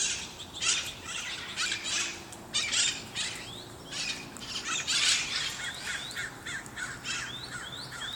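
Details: Parrots in Sunnyvale making noise: loud harsh screeches in repeated bursts, interspersed with short rising chirps, several birds calling over one another outdoors.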